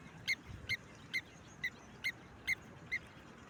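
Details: Blacksmith lapwing giving a series of sharp, metallic tink notes, seven in a row at roughly half-second intervals, clear against a soft background hiss.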